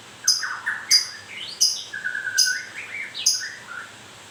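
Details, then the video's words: A white-rumped shama in moult sings sharp high notes roughly every 0.7 seconds over a running line of low warbled and level whistles. "Kicau mania.. murai baru rontok bulu..."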